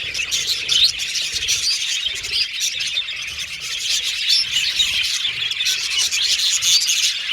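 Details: Pet Australian budgerigars whistling, chattering and singing together; a dense, continuous warbling flock chatter with scattered short whistles throughout.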